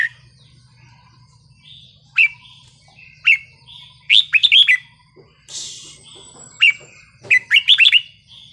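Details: Red-whiskered bulbul singing the wild-song style, meant to excite listening birds: clear, bubbly whistled phrases of three to five quick rising-and-falling notes separated by pauses of a second or so, over a low hum.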